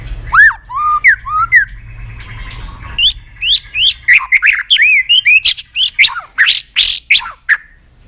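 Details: White-rumped shama in a rousing, many-voiced song for training: rich looping whistles, then a rapid sequence of sharp up-and-down notes and sweeping chirps, repeated several times a second with steady energy.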